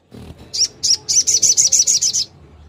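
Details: Rapid 'nembak' song of a long-tailed shrike, played to spur other shrikes that have stopped singing: two separate high sharp notes, then a quick run of about eight piercing, evenly spaced notes.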